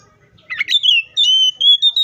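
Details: Brief Oriental magpie-robin phrase: a buzzy rising flourish followed by long, pure, steady whistles repeated three times.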